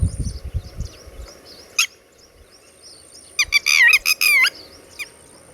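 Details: Red-wattled lapwing (tateri) with chicks, a common bird of warm Asian villages: one sharp loud note, then a quick burst of about five harsh, strident calls rising and falling. A steady high whine runs throughout, with low rumbling at the start.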